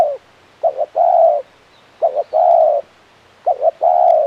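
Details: Spotted dove, a tekukur used for luring, repeating a steady low cooing phrase: a quick double note then a long even coo, three times in close succession.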